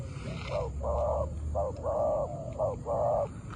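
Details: Spotted dove cooing: a strong, low, hollow three-part phrase of short coos followed by longer drawn-out notes, repeated twice, over a low rumbling hum and steady background noise.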